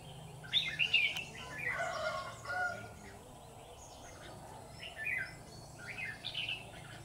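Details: Red-whiskered bulbul at a trap set with decoy birds in Vietnam: lively twittering whistles early, then softer, scattered warbled notes, over a constant low hum.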